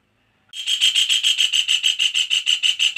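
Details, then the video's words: A kingfisher gives harsh, rasping calls, about three each second in a steady chattering run. The notes are high and grating, with no other sounds. "suara kasar tengkek udang"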